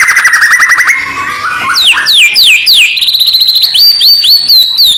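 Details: White-rumped shama song used as training audio before a song contest: a rapid trill of repeated notes, then a lower buzzy stretch, then a series of loud whistled notes that swoop down, rising toward the end.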